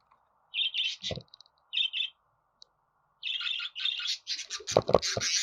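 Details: Budgerigar warble of buzzy chirps that gets denser and louder toward the end, mixed with a few sharp clicks or taps.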